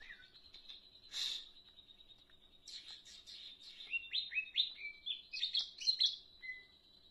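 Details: Leafbird singing energetically: a lively, varied run of high chirps, short rising and falling whistled notes and buzzy bursts, growing busier and louder toward the end, over a faint steady high background tone.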